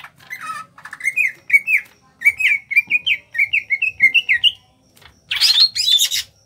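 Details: Kalimantan greater green leafbird, small body, singing gacor ngentrok: a long run of quick, evenly spaced whistled notes, each briefly rising, followed by two loud harsh chattering bursts.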